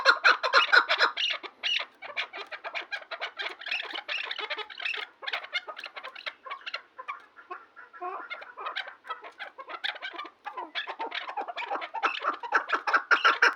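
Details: Chukar partridge giving long bursts of rapid, harsh chuk notes, dense and rattling, pausing briefly near the middle before resuming, the series louder at the start and end.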